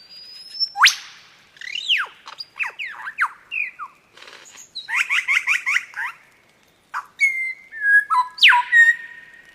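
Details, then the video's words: Lyrebird singing a varied medley: a long high whistle ending in a sharp downward sweep, quick falling whistles, a rapid run of repeated chirps, then level and swooping whistled notes separated by brief pauses. "#lyrebird #birdsinging"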